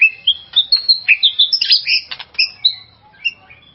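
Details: White-rumped shama singing to stir up and excite a rival shama: a busy stream of varied, clear whistled notes and short slurs, fast at first, then thinning to a few isolated whistles.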